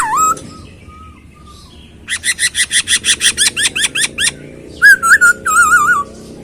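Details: Masked laughingthrush song with a quick upward whistle, soft notes, then a steady run of about fifteen rapid downslurred notes and bright wavering whistled phrases to finish.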